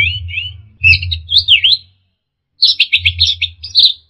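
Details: Orange-headed thrush training song, full of varied filler phrases: warbled whistles with a swooping dip, a pause, then a rapid run of trilled notes, over a low hum.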